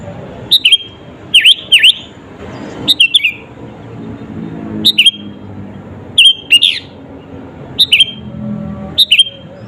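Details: Energetic sooty-headed bulbul song meant to make rival birds agitated: bright chirps and dipping slurred notes in groups of two or three, recurring every second or so, with a faint low hum underneath.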